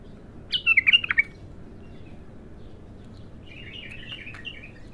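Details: Raw, untrained bulbul singing for the first time: a quick burst of warbled, chuckling notes around one second, then a softer, lower run of bubbling notes near the end, over a low background hum.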